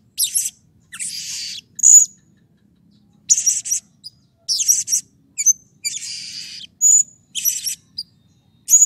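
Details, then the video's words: Excited Blue-crowned hanging parrot, its calls meant to coax other birds of its kind into calling: short shrill squeaky bursts in clusters, some with a thin piercing whistle, separated by silent gaps of about a second. "SERINDIT GACOR EMOSI || Pancingan Ampuh Agar Serindit Rajin Bunyi"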